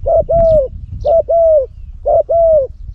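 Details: Three strong, mellow coo phrases from a Cambodian decoy spotted dove prized for its big voice and used for luring. Each phrase is a short note followed by a longer, steady coo, repeated almost every second.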